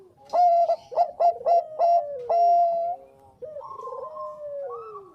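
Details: Actively singing Bangkok zebra dove, a recording for luring other doves to sing: five loud staccato coos and a sustained note, a gap, then rolling, gliding phrases falling in pitch.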